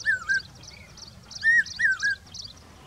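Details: Summer-migrant common hawk-cuckoo in Rajasthan giving shrill whistled notes, each sliding up then down, in a quick pair followed by a longer pair, with soft distant chirps behind.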